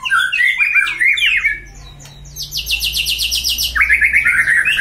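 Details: A kept white-rumped shama, stirred to anger as fighting training, pours out a dense, jumbled warble, pauses briefly over a low hum, then delivers a fast run of high, evenly spaced notes and a lower chattering trill.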